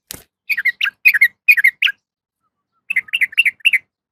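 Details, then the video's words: Yellow-vented bulbul female calling a male: a sharp click at the start, then paired, slurred chirps in four quick couplets, and after a pause a softer run of five rising-falling notes. "suara trucukan betina memanggil jantan"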